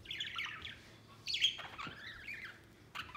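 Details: Budgerigars at play outside the cage; a short run of quiet, wavering warbles and sliding chirps, ending with one sharper note.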